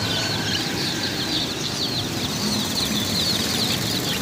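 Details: Chicken chicks chirping steadily, many thin high peeps blending into a constant chorus over low background noise.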